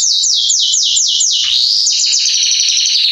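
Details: Belgian canary male singing to warm up canaries, with a string of loud descending slurred notes about five per second followed by a dense fast rolling trill.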